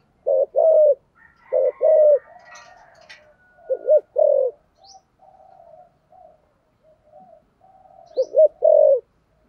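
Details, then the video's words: Spotted dove with a thổ sấm voice giving thúc gù coos: deep paired hoots at the start, middle and end, with softer faint murmuring and a few thin high chirps in between. "cu gáy giọng thổ sấm thúc gù quá hay"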